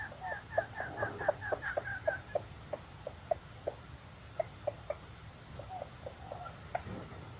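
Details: Junglefowl in the wild at a lure site, where a hen comes in. A quick run of soft, nasal clucks at first, then sparser sharp clicking clucks, repeated irregularly over several seconds against a steady high insect hiss.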